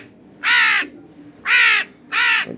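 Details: A hungry young crow, still growing and blue-eyed, gives three harsh, drawn-out caws in the morning while waiting to be fed. Each is under half a second, about a second apart, over a quiet background.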